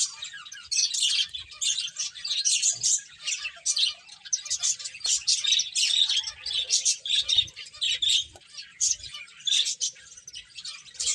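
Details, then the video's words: Finches chirp during play, with rhythmic bursts of high twittering roughly every half second. A few clearer, tonal peeps stand out in the middle section. "Cute Birds Chirping Sounds | Beautiful Finches Playing"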